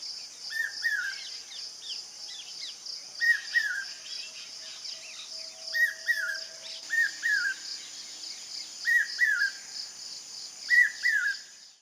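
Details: Common hawk-cuckoo (Hierococcyx varius), the brain-fever bird, giving its shrill three-note 'brain-fever' phrase every second or two over a steady high insect drone.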